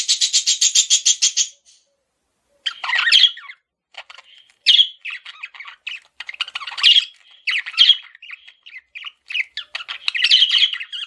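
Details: Pet male budgie opening with a fast buzzy trill of regular pulses, then after a pause long scratchy warbling and chirps with squawky accents.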